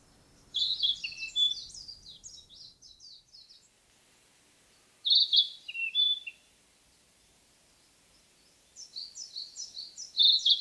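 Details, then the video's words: A Narcissus flycatcher sings three bright, varied phrases of clear whistles and trills, each about two seconds long, separated by quiet pauses. "キビタキの鳴き声 / Narcissus Flycatcher"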